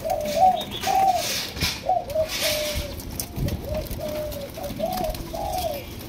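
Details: Two-month-old Malaysia-line spotted dove, captive-bred, in 'chiêu di chuyển' style song: a quick series of short coos, louder at first then softer, roughly ten notes in six seconds, with faint background clatter.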